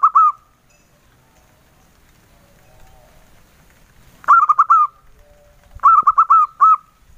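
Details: Local male zebra dove singing in the soft engkel style: a brief coo at the start, then, after a quiet gap, two mellow phrases of quick rolling coos ending in a longer drawn note. No other sounds.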